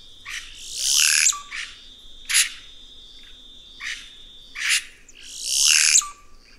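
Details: Red-rumped cacique song of loud, harsh, rushing phrases alternating with sharp single notes, with a sustained high tone and low droning in the background.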